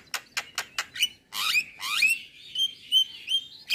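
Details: Male black-winged starling in morning song, full of varied phrases: four sharp clicking bursts, then harsh rasps and rising whistles that settle into a thin sustained whistled note with small upward flicks.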